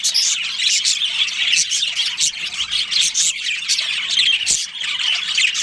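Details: Breeding-colony budgerigars give a constant stream of sharp high tweets and scratchy warbled notes, many voices overlapping in a lively chorus.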